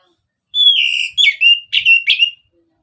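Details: Orange-headed thrush in full, nonstop song used as a prompt for other birds: a long sliding whistle followed by four shorter burry whistled notes in quick succession, with clean background.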